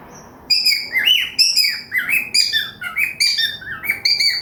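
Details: Morning chorus from a pet cockatiel joined by budgies: busy, overlapping chirps and sliding whistled notes in quick uneven bursts, high tones mixed with bright mid chirps, over a low steady background hum.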